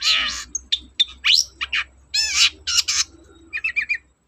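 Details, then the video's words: Long-tailed shrike in full song, used as a lure for reluctant singers: loud rasping, buzzy notes and sharp upswept squeals, closing with a quick set of small clicking chirps. "BURUNG CENDET GACOR, PANCINGAN KHUSUS CENDET MALES BUNYI"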